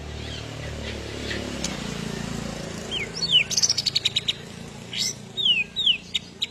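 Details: White-rumped shama in agitated, combative mood, used to provoke other birds: high thin descending whistles and a fast rattling series of sharp notes, with soft background rumble.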